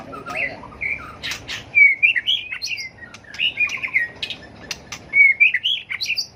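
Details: Tail-flicking white-rumped shama in a combative song used to train birds: three similar phrases, each a bright whistle followed by warbled notes, with sharp clicks between them.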